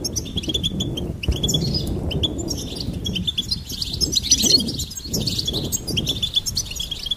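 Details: Goldfinch twittering high above a fairly strong low rumbling background, with sharp chirps and jingling phrases running through most of the recording.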